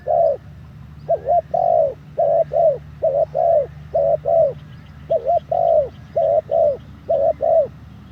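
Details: Spotted dove in training as a ground decoy, third session, calling steadily. Soft hollow coos come in quick pairs and threes, about one per second, with brief gaps between phrases and low background hum.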